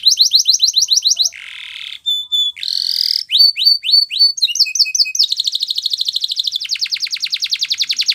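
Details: A Spanish Timbrado canary sings a training song: falling chirps, a buzzy burst, a clear held note, upward swoops and finally a fast steady rattling trill.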